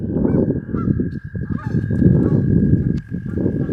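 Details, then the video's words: Geese honking as they fly over a pond in Harford County, Maryland, while a dog runs around; a few short nasal honks rise over heavy low rumbling noise, with a steady thin whine running throughout. "Geese honking and flying"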